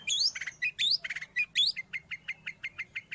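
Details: Long-tailed shrike, sound used for training cage birds or luring wild birds: a few squeaky high upslurred notes followed by a steady series of short chips about six per second.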